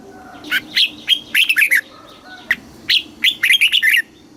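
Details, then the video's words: Southern master-style song of a red-whiskered bulbul from Thailand, used for caged birds. Two bubbly phrases of fast, mellow whistled notes are separated by a short gap. "เสียงนกกรงหัวจุก สำหรับต่อ หรือ เปิดให้นกคึก เสียงเพราะๆ"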